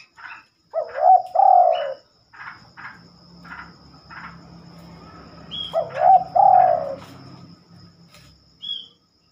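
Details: Nocturnal cooing of a spotted dove, a bird that rarely sings at night: two phrases about five seconds apart, each a hooked note and a drawn-out mellow coo, with scattered faint chirps and low hum between.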